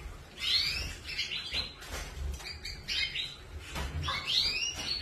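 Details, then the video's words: Canary song of quick upward-sweeping whistles and short chirped notes in separate bursts, with a steady low hum underneath. "Kanarienvögel | Canary Birds"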